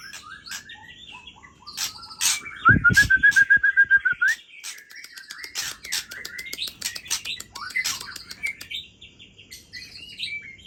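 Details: Midnight song of a white-rumped shama: rich whistled phrases mixed with a rapid rattling series of clicks near the start and scattered sharp chirps, over a low background hum.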